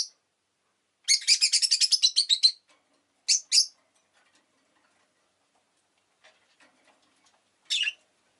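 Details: Rosy-faced lovebird chirping: a rapid rattling burst of about a dozen shrill notes lasting over a second, then two separate sharp chirps, a quiet pause with faint ticks, and a final harsh chirp.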